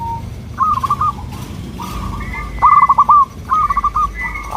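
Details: Local zebra dove song, used as a lure so local doves answer: stuttering, trilled coo phrases of rapid clipped notes, repeated about every second, with faint, higher, drawn-out tones between them.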